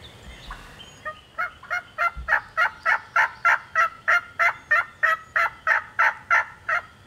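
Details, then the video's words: A wild turkey hen, by herself in Georgia turkey woods, yelps loudly in a fast, very regular series of about three notes per second, each note a raspy, two-toned syllable, after a couple of opening clucks. "Hear that old hen yelping and cutting and clucking like that."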